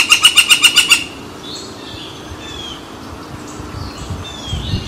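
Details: Woodpecker drumming and calling beside San Francisco Bay on July 18, 2023, as a barge crosses; a rapid burst of about seven evenly spaced sharp taps in the first second, then faint high bird notes over low rumble.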